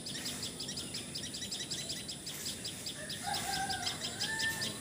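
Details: Assam, India: a common tailorbird's rapid high chipping series runs at first, then a rooster crows loudly in the background during the last seconds.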